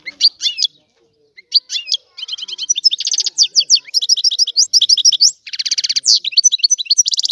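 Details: European goldfinch singing a lively, tinkling song of quick high chirps, buzzy trills and liquid twitters, starting with short separate bursts and building into a continuous run of rapid notes.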